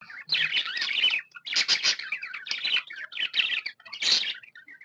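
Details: Happy pet budgerigar chirping: dense bursts of scratchy, buzzy warbles and squeaky chirps in rapid runs, pausing briefly between phrases, with a few soft whistled notes at the end.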